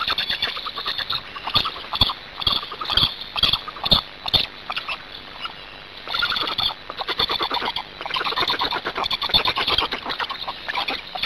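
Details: Hungarian black storks being fed at the nest, evening of 26 May 2019, 18:53: bursts of fast squeaky chattering pulses about once a second, broken by a short lull midway, over a constant high hiss.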